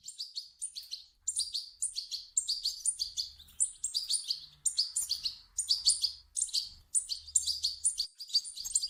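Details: European goldfinch nestlings' begging, used to trigger an adult's song: clustered bursts of high, buzzy chirps, each lasting about half a second, repeated roughly every second with short gaps, faint low hum in places.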